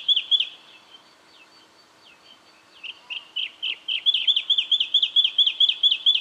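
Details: Brown treecreeper (Climacteris picumnus) in Victoria, Australia, October 2011, giving sharp, high piping notes, first a few scattered calls, then a fast even series of about eight notes a second.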